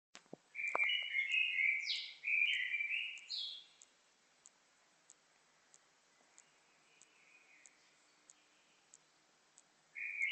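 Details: A singing bird gives warbling, slurred phrases in the middle range, then falls mostly quiet apart from faint notes and regular sharp clicks. A new phrase starts at the end.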